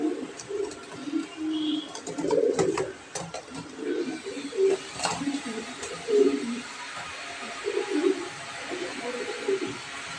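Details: Deep, bubbling coos from an imported black Show King pigeon pair, male and female, come in repeated swelling phrases inside a small room, broken by occasional clicks and a brief thump.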